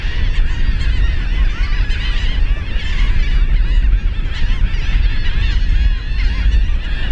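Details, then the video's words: Gulls at Pass Christian Beach: a dense chorus of overlapping squealing, wavering calls from many birds, with a heavy low rumble throughout. "Seagulls at Pass Christian Beach"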